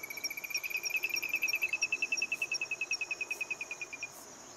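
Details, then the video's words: Olive-crowned crescentchest (Gallito de collar), subspecies Melanopareia maximiliani argentina, singing: a long rapid run of clear piping notes, about seven per second, rising slightly then holding steady, over a constant high insect-like ticking and hiss. "GALLITO DE COLLAR / OLIVE-CROWNED CRESCENTCHEST SINGING"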